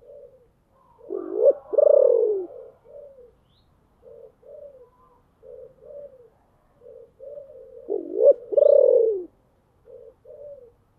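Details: Decoy spotted dove with a deep, booming voice calling to draw in wild birds: soft short coos broken by two loud swooping coos, one near the start and one near the end, over a quiet background.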